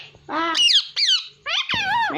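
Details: ['Pet parrot that talks in Hindi: three voiced, word-like utterances with harmonics and sharp pitch swoops, short silences between.']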